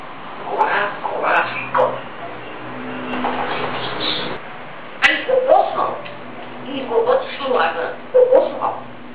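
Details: Grey parrot mimicking speech, playing the role of its owner and of itself in a two-voice routine: a run of varied speech-like phrases with rising and falling tones, short pauses between bursts, and a sharp click near the middle.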